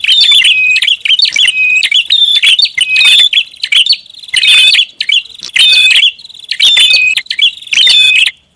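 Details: Noisy prinia lure recording. Loud clusters of shrill chirping and tinkling whistles repeat roughly every second, with only brief pauses. The chatter is continuous and agitated.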